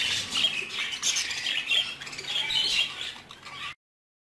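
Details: Budgerigar chicks three months old, a dense chorus of harsh chattering squawks and chirps from many young birds, continuous and overlapping, ending abruptly.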